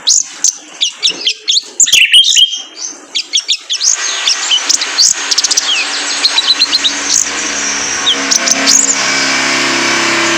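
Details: Male brown-throated sunbird (kolibri ninja), a training recording for caged birds: bursts of shrill chirps and quick downslurred whistles, then a dense run of high twitters over a steady background hiss.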